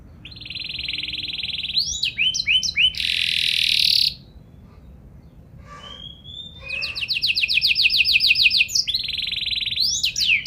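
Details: Canary singing in a lively Indonesian gacor style: fast trills, rising sweeps and a long buzzy roll, broken by a quiet gap with faint chirps, then rapid repeated trilled notes resume.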